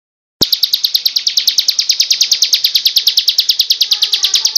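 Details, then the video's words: Ciblek (bar-winged prinia) singing in the Cristal style: a fast, steady run of sharp, high, ticking notes, about ten a second, carried on without a break after a short silence at the start. "suara ciblek Cristal"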